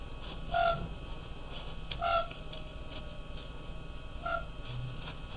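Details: Night calling of Siberian cranes in the Oka Biosphere Reserve: three brief, pure whistled notes with a gentle downward slur, spaced roughly two seconds apart, against a constant low background hum.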